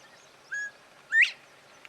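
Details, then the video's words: Male Northern bobwhite singing his spring song from a treetop: a short flat whistle, then about half a second later a louder, sharply rising slurred whistle, a clear two-note phrase against a quiet background. "Northern Bobwhite Quail - making some sweet sounds"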